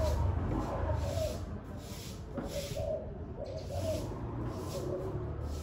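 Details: Spotted dove calling on a very windy day: soft, low cooing phrases come through in short bursts, partly buried under a constant roar of wind.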